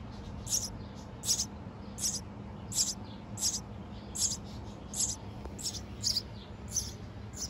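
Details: Tiny baby birds calling from inside a garden birdhouse in June, fed by a parent that comes and goes: about ten high, squeaky peeps at a steady pace over a soft background hum.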